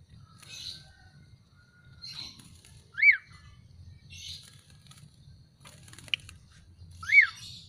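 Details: Caged Javan pied starling after being bathed and set out in the sun, giving two loud arched whistles, each rising then falling, about four seconds apart, over faint scratchy rustling and a low hum.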